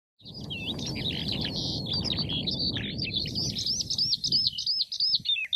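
A finch sings a high, twittering run of quick notes that ends in a rapid trill, over a low rumbling background.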